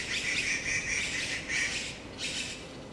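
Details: Taiwan blue magpie during the breeding period, April to May 2013, with adults incubating, feeding young and guarding a fledgling fallen below the tree; loud rasping, buzzy bursts about half a second long, repeated in quick irregular series.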